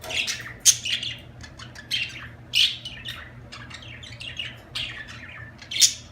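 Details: Budgies squawking and chirping, loud harsh notes roughly once a second between quicker warbled chatter, with a low hum running beneath.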